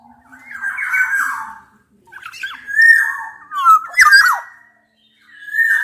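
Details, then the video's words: Black-naped oriole from a Javan and Sumbawa male and female mix, challenging a rival: slurred fluty whistles alternating with harsh grating squawks in three loud bouts with brief pauses. "kepodang gacor MENANTANG LAWAN ini sangat ampuh membuat agar burung podang gacor nyaut emosi"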